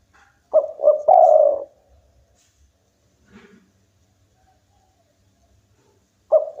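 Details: Local spotted dove in vigorous song: a cooing phrase of two quick notes and a long held coo, then silence with a faint low call, before the next phrase begins.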